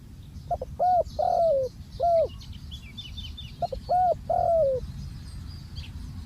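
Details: Ground decoy spotted dove giving two cooing phrases: a quick soft pip, a round coo, then a drawn-out downward-sliding coo, and a brief closing coo, backed by faint high bird chirps and a steady low rumble.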